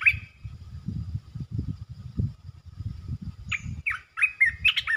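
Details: Red-eyed bulbul, the local territory holder, calling: a brief rich note at the start, then a quick run of bubbly, warbling chirps near the end, with steady low rumbling noise throughout.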